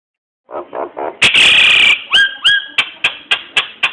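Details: Nias hill myna song, used as a lure to draw other birds into singing: a run of buzzy, pulsed low notes, a harsh loud burst, then sharp whistled down-slurred notes repeated about three times a second.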